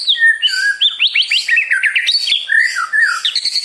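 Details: White-rumped shama, a murai batu used to provoke other birds into singing: a rich run of varied whistled and slurred notes sweeping between high and mid pitch, loud and continuous with quick changes.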